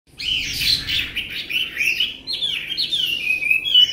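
A Chinese hwamei sings a rich, continuous run of loud whistled and slurred phrases, varied and fast, with a few high sweeping notes; nothing else stands out.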